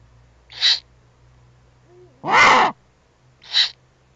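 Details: Eagle-owl family at the nest, an adult with owlets on webcam in April 2020: three harsh, hissing bursts, the middle one longest and loudest, with a faint low wavering note just before it over a constant low hum.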